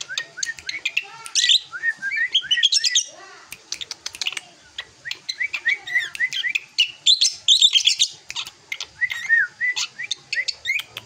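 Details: Song of a drongo growing into adulthood: a dense stream of short chirps, rising whistled slurs and scratchy high twitters. The notes are delivered in rapid clusters separated by brief pauses.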